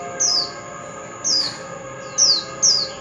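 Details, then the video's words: Oriental magpie-robin whistles intended to stimulate singing: four clear falling whistled notes, the final two close together, each sliding downward, with a soft constant high hum behind. "Chòe Than Bổi Nghe Là Hót – Âm Thanh Kích Hót Cực Mạnh"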